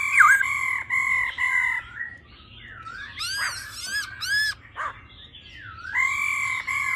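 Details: A female laughingthrush gives its 'ro ro' call, harsh, harmonic rolling notes in short bursts, then looping, rising-and-falling whistled phrases, over a faint low hum. The call is used to quickly fire up male birds.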